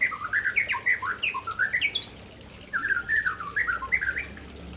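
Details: Showing off its signature fill-ins, an Aceh-type white-rumped shama sings two loud bursts of rapid, rising and falling whistled notes, divided by a short pause.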